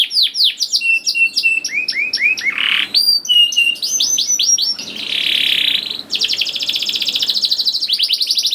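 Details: Song of a young canary, played to coax other canaries into song: varied whistled downslurs and chirps, a buzzy harsh burst in the middle, then an extended rapid trill near the end.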